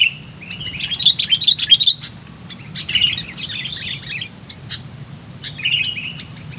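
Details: Lure sooty-headed bulbul, said to be lively and vocal, delivering jumbled bursts of sharp chirps and bubbly notes in two main outbursts, then a softer short phrase near the end; steady faint low hum underneath.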